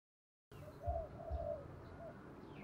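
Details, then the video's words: Spotted dove kept as a decoy to lure wild doves. A faint series of soft, low hooted coos rises out of steady background hum and rumble. "Chim Cu Mồi giọng đồng pha + thúc rút bổi + gáy gọi bổi + cu gáy giọng thổ đồng"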